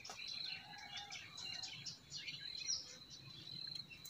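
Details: Chirping forest birds in spring, brief sharp notes and twitters scattered over a continuous high tone and low flowing-water ambience.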